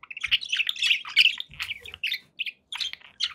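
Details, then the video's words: Happy budgerigars kept as pets: loud, rapid warbling and chirps in the first half, then shorter separate squeaks and scratchy notes with gaps, plus faint low knocks. "happy budgie sounds"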